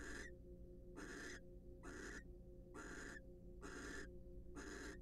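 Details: Wild barn owls preening each other during courtship in a nest box; five broad, harsh snore-like hisses spaced about a second apart over low humming noise.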